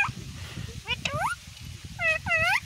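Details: Pet talking parrot kept at home, giving a few short, high, harmonic word-like calls: two quick squawky syllables near the start, then two louder arching, rising-falling utterances at the end, over a low steady background hum.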